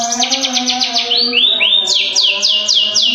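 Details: Long-tailed shrike singing vigorously: rapid high whistled notes slurring downward, repeated about four times a second, broken by a few longer rising-then-falling whistles, over a steady low humming tone.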